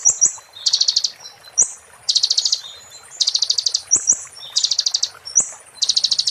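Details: Konin (Oriental white-eye) giving 'muntah beling' song for tutoring magpie-robins and shamas: short high slurred whistles each followed by a quick chattering rattle, the pair repeated about every second and a half.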